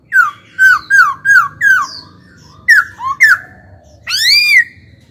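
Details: Young laughingthrush kept as a caged songbird, trained to sing: five evenly spaced, loud downslurred whistles, two more after a short gap, then a long, rising, rasping note.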